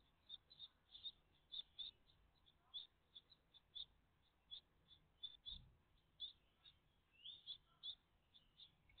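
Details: Great tit family at the nest on 14 June 2023, morning: rapid, high, sharp chirps in quick succession, a brief upward-sliding note near the end and a soft low knock in the middle.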